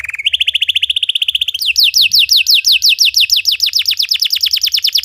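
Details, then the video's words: Belgian canary song to train other canaries: a fast, even trill at steady pitch, then a louder series of steeply descending whistled notes repeated about three per second. "Belgian canary singing makes your canary sing"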